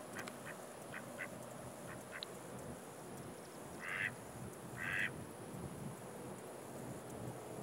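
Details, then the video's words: Mallard at Joseph Tribble Park, Savannah, Georgia, gives a few soft, nasal quacks, the two loudest about a second apart, over a steady high insect drone and background hiss. "Mallard quacking and insect chirps"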